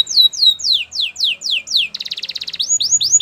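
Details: Canary training song: a series of sweeping downward whistles about three per second, then a fast chattering burst, then rising-and-falling whistled notes.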